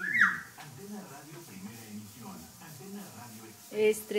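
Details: A pet parrot, asking for food and talking to itself ("eres un rorro"), chatters speech-like phrases in a slightly nasal, mid-pitched voice, with sharp high squawks at the start and near the end.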